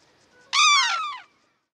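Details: Sarus crane calling once: a loud, brassy trumpet blast under a second long. It starts abruptly, is full of overtones and sags gently in pitch before fading, with near silence around it.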